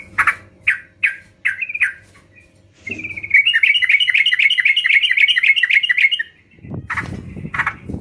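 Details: Sooty-headed bulbul song aimed at getting other bulbuls to sing: several spaced chirps, then a long rapid run of bubbly repeated phrases for about three seconds, followed by a rustling noise and two more notes.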